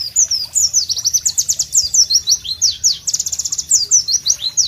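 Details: Pleci, the White-eye, gives a loud, sharp song in a tropical setting: quick high notes, some sweeping down, others rising, delivered in a busy, energetic stream with a faint low background hum.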